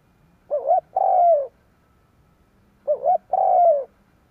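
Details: Spotted dove used to lure wild doves: two loud cooing phrases, each a wavering double note and then a long falling coo, about two and a half seconds apart.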